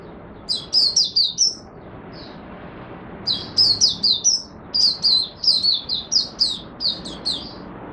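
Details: Oriental white-eye (mata puteh) from Singapore, buka sing, humid, warm, rainy, overcast conditions on 23 March 2023: a short run of chirps, a pause, then a long, steady stream of high, slurred twittering notes over a constant low hum.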